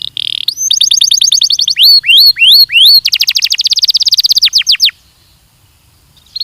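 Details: Training song of a Belgian canary, a recording for teaching canaries to sing: a buzzy note, rapid rattling trills, repeated upward-swooping whistles and falling notes, ending in a short silence.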